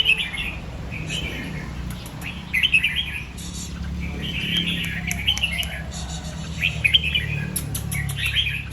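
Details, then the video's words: Red-whiskered bulbul morning song, in the style called doubled two to three times and 'rik' singing. Short bright warbled phrases repeat every second or two over a constant low hum. "เสียงนกกรงหัวจุก ร้องเบิ้ล2-3 ร้องริก"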